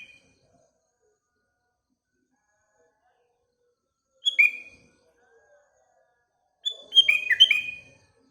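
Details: Sooty-headed bulbul heard in the morning: a brief two-note whistle, then a longer burst of quick, tumbling, liquid notes a couple of seconds later.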